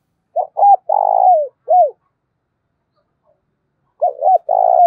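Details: Spotted dove decoy in the 'giọng thổ' voice, used for luring wild doves. It gives quick short notes, a long burry coo and a trailing curved note, then after a pause starts another phrase of two hooked notes and a sustained coo.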